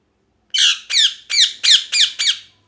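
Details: Six harsh, screechy parrot calls repeated evenly about every third of a second, each a rough burst dropping slightly in pitch, loud in a small room.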